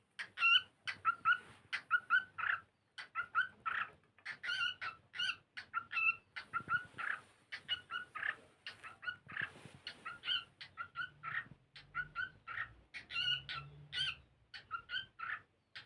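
A cockatiel sings a busy run of short, bright chirps and whistled notes in quick bursts.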